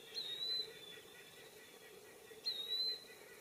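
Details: An Eastern wood-pewee in woods gives two thin, high slurred whistles about two seconds apart over a steady low hum, with a White-breasted Nuthatch and Blue Jay in the background.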